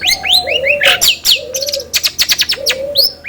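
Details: Long-tailed shrike song played to stimulate another bird into singing: soft upslurred whistles, low hollow drawn-out notes and short sharp chips in a varied sequence.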